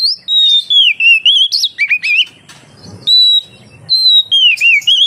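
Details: An Oriental magpie-robin sings brightly, meant as a lure to prompt other magpie-robins to sing; long level whistles dip and rise in warbling phrases, broken by a brief quiet gap before another whistled run.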